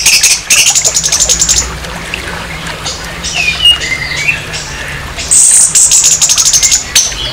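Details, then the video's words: Orange-headed thrush giving a harsh provoking song aimed at another orange-headed thrush: rapid rattling runs of high scratchy notes at start and end, with a few softer whistled slurs between. "SUARA KASAR ANIS MERAH, PANCINGAN NAIKAN EMOSI ANIS MERAH"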